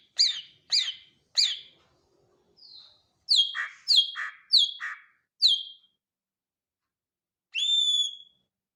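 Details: Greater green leafbird singing: three quick sharp chirps, a soft note, four buzzy two-part chirps, then after a pause one long, pure, steady whistle.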